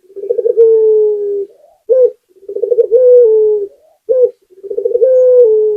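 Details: Spotted dove, a local bird, singing: low cooing phrases, each a quick stuttering run of notes followed by a long steady coo, with a short separate coo between phrases, repeated about every two seconds.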